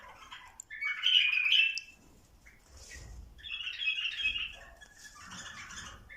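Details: Bulbuls encouraged toward mating: a bright whistled warble, a near-silent gap, then renewed chattering phrases and a softer trailing burst, with faint low knocks between them.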